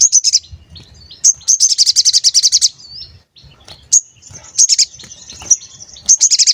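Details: Sooty-headed bulbul (sogon) lure song for provoking rivals and trapping wild birds: bursts of rapid, high, pulsed trilling broken by thin sustained whistles and sharp chips, the trills returning after brief pauses.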